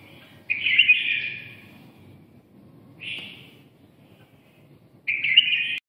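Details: Red-whiskered bulbul from Nghe An, Vietnam, delivering three loud, full, slightly burry warbled phrases. The first phrase is long, the second short and soft, the third strong. Faint low-frequency hum throughout.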